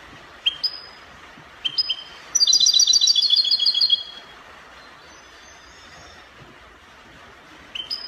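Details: Spanish copia style song of a European goldfinch from Morocco: two short rising chirps, then a dense, rapid rattling trill of bright high notes for about two seconds, followed by a long pause and another chirp.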